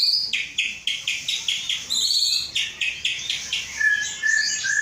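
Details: Aceh white-rumped shama kept in a cage and prepared for breeding, hatched 23 August 2012. It sings a rapid, evenly spaced series of sharp chirps, about five each second. These shift into higher buzzy notes and then end in low whistles.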